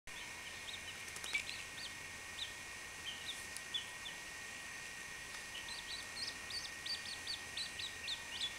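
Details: Baby chachalaca chick giving thin, high peeps, scattered at first and then in quick runs of short rising-falling notes toward the end, over a steady high-pitched hum.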